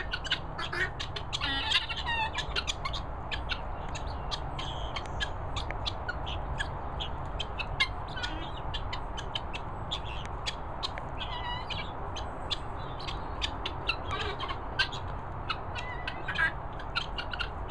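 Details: Young helmeted guineafowl keets, let out and feeding on mealworms in Worcestershire countryside, give a steady stream of high, thin peeps and chirps over a low rumble. Finding: Helmeted guineafowl.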